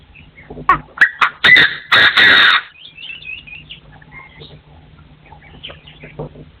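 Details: Crowing partridge, 2024, forest setting: a quickening series of harsh, clipped notes rising into two long rasping bursts, then softer scattered chirps and twitters trailing off.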